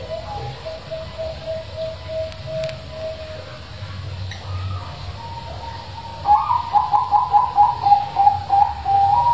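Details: Big-voiced zebra dove song played as a lure for doves that are reluctant to sing. Soft, evenly spaced low coos come first, then a loud, fast, rhythmic rolling coo phrase of repeated mellow notes near the end.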